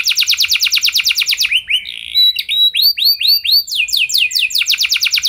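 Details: Singing canary, a recording meant to draw other canaries into long song: fast high trill, then a series of rising swept whistles and more rapid repeated notes, continuous and loud.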